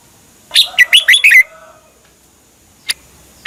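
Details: Red-whiskered bulbul from Thailand singing, used to excite or teach caged birds: one rich phrase of five chirpy, slurred whistles, then silence broken by two short sharp notes.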